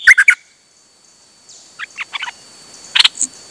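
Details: Songbird on a rare outing, 8 September 2023, singing nonstop: three loud whistled notes, a pause, soft chirps and a sharp doubled click.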